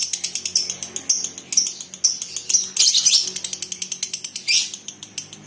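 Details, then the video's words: Lovebirds kept in a colony, with a female called 'konslet': quick series of sharp, high clicks and scratchy chirps interrupted by brief harsh trills. "Rawatan Love Bird Koloni ,konslet betina"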